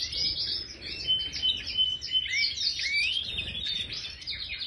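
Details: Aviary-kept major goldfinch singing a fast, jumbled stream of liquid chirps, buzzy trills and clear rising whistles, energetic and continuous with brief pulses of louder notes.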